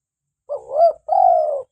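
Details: One coo phrase from a lively local spotted dove, recorded to lure doves and to prompt captive birds to call: a soft rising note swelling into a peak, a short gap, then a long, mellow, slightly falling coo.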